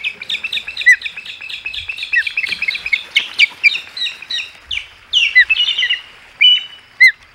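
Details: Ospreys at the Hog Island nest, three birds together, 15 August 2020: rapid, continuous run of high, piercing whistled chirps, some downslurred, rising to excited bursts and ending with a few separate sharp notes.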